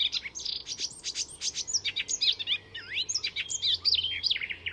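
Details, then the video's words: Icterine warbler, a mimic borrowing other species' songs, recorded at a Swedish reserve north of Stockholm: dense fast jumble of high chattering, buzzy and whistled notes with sharp upward slurs. "Icterine Warbler in full song; A master of mimicry…"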